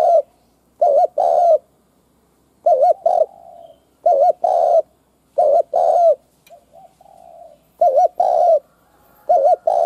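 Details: Spotted dove kept as a decoy bird, calling to provoke and lure wild doves: low mellow coos in two-part phrases, a quick doubled note then a longer drawn coo, repeated about six times with short pauses.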